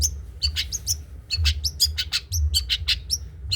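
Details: Trotol-style song of a long-tailed shrike, meant for other birds to learn from: a fast, unbroken stream of sharp chips, short downslurred whistles and buzzy notes, several per second, over a low background hum.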